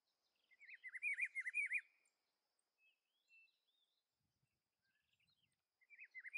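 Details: A rufous-browed peppershrike in the Atlantic Forest gives a rich, warbling whistled phrase of quick wavering notes lasting about a second and a half, then starts it again after a pause, with faint distant chirps.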